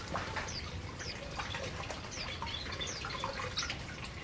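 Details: Several aviary canaries call softly while eating: faint, quick, upward-sweeping high chirps scattered throughout over a steady background hiss and low rumble.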